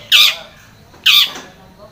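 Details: Two loud, grating squawks about a second apart come from a long-tailed shrike in vigorous voice, recorded to provoke a quiet shrike to sing. Only a faint low hum is heard between them.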